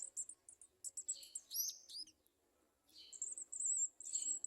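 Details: Garden sunbirds searching for insects in a small jar to feed their young at a nest; bursts of high, thin chirps and short twittering notes, with a rapid high trill near the end.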